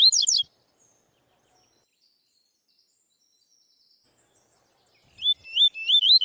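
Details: Double-collared seedeater (Sporophila caerulescens) with tui tui zel zel song. A buzzy, rattling song ending opens the recording, followed by several seconds of near silence. Then a new phrase begins with repeated rising, whistled slurs.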